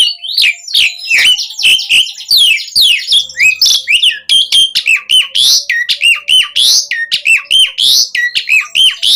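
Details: Continuous gacor full-isian singing by an Asian pied starling, used as a lure to set captive starlings singing: fast rhythmic chatter of sharp up-swept whistles and buzzy notes, roughly evenly spaced.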